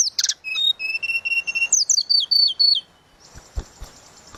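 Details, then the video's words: Flute-like song of a tledekan laut: a steady run of pure whistled notes repeated about four times a second, then descending slurred whistles, ending with faint noise and thuds. "Burung tledekan laut suling gacor"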